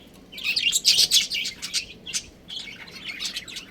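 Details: Budgerigars chirping in a captive colony with a breeding pair: an energetic run of fast, high twittering chirps, loudest near one second, about three to four notes a second, then softer scattered chatter.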